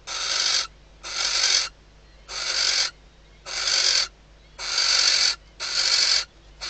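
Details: Female barn owl calling from the nest to the male at night in the Ebro Delta, Spain, days before the first egg hatches; seven harsh, breathy screeches in a steady run, each around half a second, separated by short gaps.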